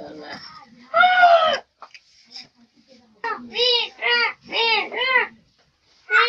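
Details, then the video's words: Common myna talking like a person: a harsh, speech-like burst, then a run of four arched, nasal, voice-like syllables about half a second apart, with a softer human voice earlier. "কথা বলে শালিক পাখি ।দেখুন শালিক পাখি কিভাবে মানুষের মত কথা বলে"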